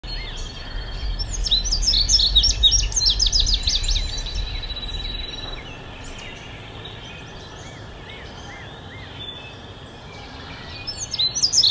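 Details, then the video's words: Indigo bunting song: a loud burst of high, sharp paired notes sliding down and up, then quieter and distant, with a steady low rumble of background noise throughout. "Indigo Bunting"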